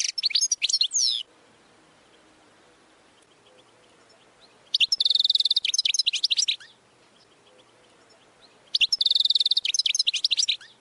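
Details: Goldfinch training song: three bursts of fast, high, liquid twittering, each roughly one to two seconds long with a buzzy trill inside, spaced by quiet gaps of a few seconds.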